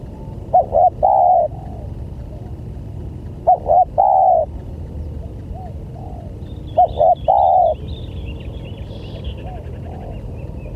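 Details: Spotted dove coo played to lure other doves: three phrases roughly three seconds apart, each two clipped notes and a longer mellow coo, with faint high chirps from another bird later and a low steady rumble.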